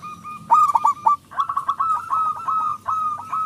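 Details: Loud local zebra dove in song as a lure for other doves: a stammering burst of four coo notes followed by a rapid rolling run of hollow, evenly pitched coos.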